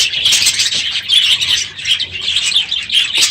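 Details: Many budgerigars in a crowded aviary on a morning at the end of the breeding season, a dense, continuous chorus of high, scratchy chirps and warbles, with brief wing flutters.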